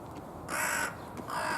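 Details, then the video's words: Carrion crow calling with its chest puffed out, a slightly hoarse voice: two harsh, broadband caws, the first long and the second following after a short pause. "ハシボソガラスの鳴き声 少しシャガレた声です"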